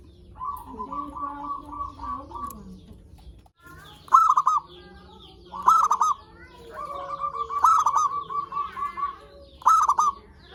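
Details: Zebra doves in a lure recording meant to make other zebra doves sing: a long run of evenly spaced soft coos opens, then short stuttering cooed phrases about every two seconds, overlapping another dove's repeated coo series.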